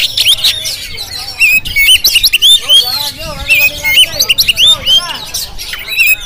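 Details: Jampang-type Oriental magpie-robin on a GoPro recording, giving strong rising and falling whistles and looping slurred notes in quick phrases, with loud pulses and brief pauses between them.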